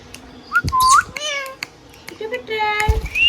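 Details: Hand-tame pet green ringneck parrot talking indoors: speech-like harmonic syllables mixed with a rising whistle and a long upswept note, short pauses between phrases.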